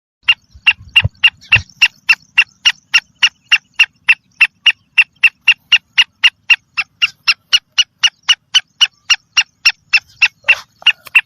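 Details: Female black francolin calling to excite males: a long, steady run of sharp, clipped notes repeated about four times a second for over ten seconds, with a few low thumps near the start.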